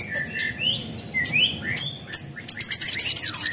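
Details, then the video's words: Spiderhunter lure song with added phrases, meant to make other spiderhunters answer: rising and falling whistled slurs, then a rapid string of high, sharp ticking notes near the end. "Burung Sogon Manapun Bakalan Langsung Nyaut Dengar Suara Sogon ini"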